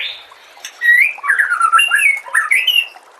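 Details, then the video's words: White-rumped shama song used as training material: one brief phrase of fluid, slurred whistles that wander up and down, with faint high notes above. "MASTERAN MURAI BATU"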